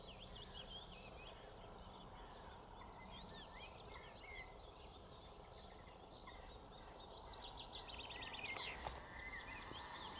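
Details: Little grebe adult feeding with two young to look after, Dunfermline, Fife, 2 June 2020: thin, high peeping notes in a quick, overlapping stream over a steady low rumble, with a brief louder burst of noise near the end.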